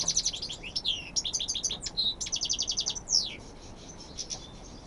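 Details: Spanish European goldfinch from Almería delivering a rapid tinkling song: quick repeated chirp trills, liquid twitters and a few downslurred notes, high and bright, fading out toward the end.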